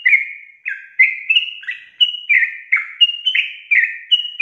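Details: Sooty-headed bulbul singing a 'ropel' gacor phrase meant to spur other bulbuls to sing. Rhythmic loud whistles, each a short downward slur, come about once per second in a steady, clean series.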